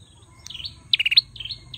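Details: Male bar-winged prinia giving a quick burst of four to five pulsed buzzy notes between softer wavering whistles, over quiet low rumble.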